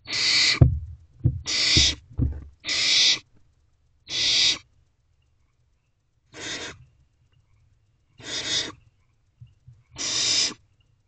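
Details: Owlets of the barn owl inside a nest box, night of 21 May 2023, 9:12 pm, one tackling a rodent while siblings watch; soft thumps and scuffling open, then harsh breathy screech-hisses repeated irregularly about every one to two seconds.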